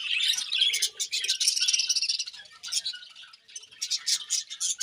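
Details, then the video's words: Budgerigars during morning feeding: continuous high, fizzy chatter and quick chirps that rise and fall in loudness, with brief pauses between bursts. "Budgies Morning Feeding and Chirping Sounds"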